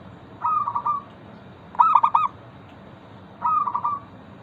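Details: Local zebra dove singing as a lure to prompt other zebra doves to sing: three short cooing phrases, each a stuttered run of soft notes ending in a rolling coo, spaced about one and a half seconds apart.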